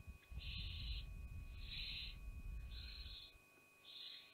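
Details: Barn owls at Théding on 5 July 2021 as the mother pushes her young away; four harsh, breathy hisses of about half a second each come roughly once a second, over low rumbling and a constant tone.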